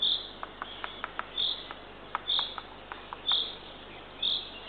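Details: At dawn on 3 June 2023, a female Eurasian eagle-owl feeds her third owlet at a camera-watched nest in Northern Estonia. High rasping calls come about once a second, with sharp clicks and ticks scattered between them.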